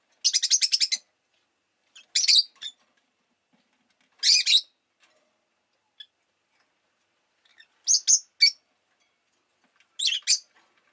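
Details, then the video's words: A pet rosy-faced lovebird opens with a fast stuttering trill of rasping notes, then gives scattered clusters of shrill chirps every two seconds or so. "Lovebird Chirping Sounds"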